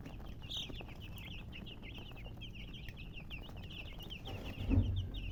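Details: Chicks keep up continuous high, thin peeps in quick succession, overlapping into a chattering stream, with a soft thump near the end and constant low background hum.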